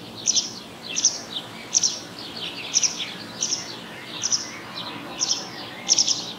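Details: Little owl recorded on 30 June 2024: short hissing, noise-like bursts, high-pitched, repeated roughly every three-quarters of a second, each with a sharp onset and a brief fading tail, over a quiet background.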